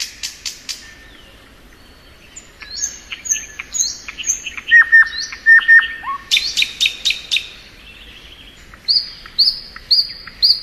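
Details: Spring song of a thrush nightingale: sharp clicks open the phrase, followed by a varied mix of buzzy notes, a low dropping whistle, loud staccato strokes, and high repeated slurred whistles.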